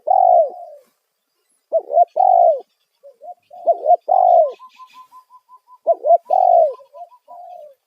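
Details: Spotted dove coo used as a lure for wild doves: loud repeated phrases of slurred rising and falling coos, a steady series of short soft notes running between them, plus faint chirps of small birds.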